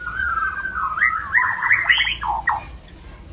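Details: White-rumped shama mating call used to stimulate breeding: a run of warbled, rising and falling whistled notes, followed by two downslurred notes and a brief high thin whistle.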